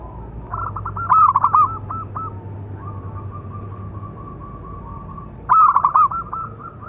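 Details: Big-voiced local zebra dove singing to train and lure other doves: two loud bursts of rapid pulsed coos with a trilled ending, about four seconds apart, with a long run of faint, even cooing between them.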